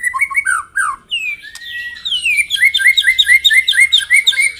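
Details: Morning provocation song of a white-rumped shama, meant to make rival birds sing: clear slurred whistles, a long steady whistle, then a rhythmic series of short downslurred notes repeated about twice a second.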